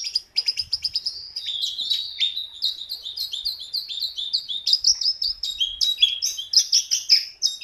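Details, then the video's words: Jungle babbler in full, energetic song: a fast, continuous stream of chirpy, whistled notes, high and bright, often jumping up and down in pitch, with short pulses coming several times a second and no other clear sounds. "JONGKANGAN gacor"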